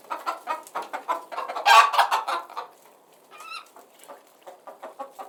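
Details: Flock of chickens heard as relaxing background noise: rapid runs of short clucks, a louder burst of overlapping calls midway, then a quieter stretch with a higher harmonic squawk and scattered clucks.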